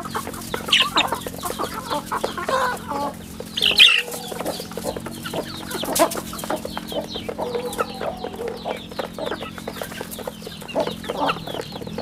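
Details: Chicks on a rural home chicken farm, with scattered high cheeping peeps and some clucking among busy farmyard bustle, a steady low hum running underneath throughout.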